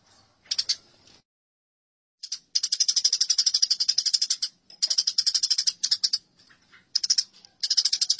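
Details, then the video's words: Eurasian tree sparrows fighting, a training recording for songbirds: after a few sharp chirps, long sustained runs of fast, harsh, high-pitched chattering fill most of the clip with only brief breaks. "Masteran Gereja Tarung"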